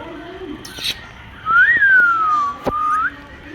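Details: An Indian ringneck parrot, a pet talking bird caught in the rain, gives one long clear whistle that rises briefly, then falls slowly and flicks upward at the end. A sharp tap interrupts it.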